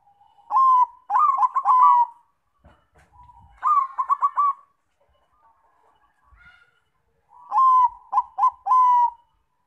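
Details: Lure song of a Zebra dove, meant to set other doves singing: three phrases of rolling, stuttered coos with a longer note at each end, faint soft sounds between phrases.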